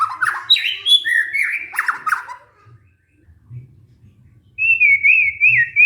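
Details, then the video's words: White-rumped shama lure song for a stressed caged bird that stopped singing: quick warbled and whistled phrases, a quiet gap, then a wavering sustained whistle. "pancingan murai batu macet bunyi karena stres"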